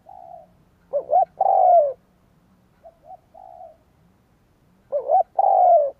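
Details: Spotted dove decoy cooing to attract wild doves: two strong phrases of two short hoots and a long sliding coo, with a faint softer coo sequence between them.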